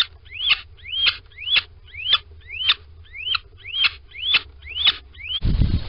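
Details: Little owl at a nest box in Sprundel, morning of 13 February 2020, squeaking and calling as the first of a pair goes inside: short upslurred squeaks with a sharp click, about two per second, ending in a burst of rustling.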